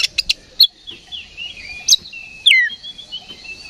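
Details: Oriental magpie-robin in fighting ngeplong song, softer here: a few sharp clicks, soft warbling, and one loud whistle dropping steeply.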